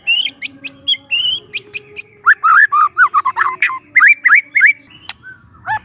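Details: Young forest White-rumped shama, song used as a lure to provoke caged birds: varied fast phrases of clear whistles, rising slurs and sharp chips, densely repeated with little pause.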